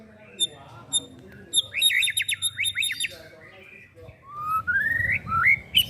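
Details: Whistled song of a young white-rumped shama groomed for contests: soft scattered notes, then a burst of rapid slurred whistles, then a rising series of clear whistled phrases.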